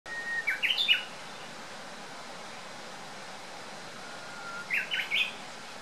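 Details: Japanese bush warbler singing in Kakitagawa park on 9 March 2013: a long level whistle followed by a quick rising flourish of sharp notes, repeated twice about four seconds apart, over a steady faint background hiss.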